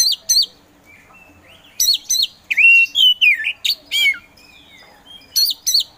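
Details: Oriental magpie-robin of the kacer poci type, a contest songbird said to be slow to start but soon singing energetically: sharp paired upswept notes, then a fluttering run of whistled and warbled phrases with a rising slur, the paired notes returning at the end, over a low hum.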